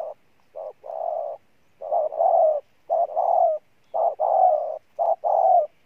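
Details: Powerful cooing from a decoy spotted dove: a rhythmic series of brief lead-in notes each followed by a sustained, slightly wavering low coo, about one phrase per second.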